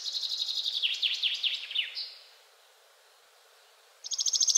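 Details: A male Common chaffinch sings its energetic song, a quick, bright run of high twittering notes tumbling into a descending flourish at the end, then another song after a two-second pause.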